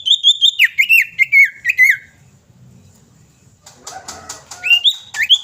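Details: Female common iora calling to a male, used as a lure to get other birds singing. About ten quick, clear whistled notes slur downward in a rapid series, then a pause with faint rustling, then a few rising whistles close out.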